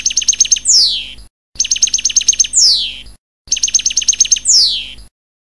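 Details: Goldfinch passades song phrase heard three identical times, about every two seconds: a rapid run of some eight high chirps, then a long downward-slurred whistle, with short silences between.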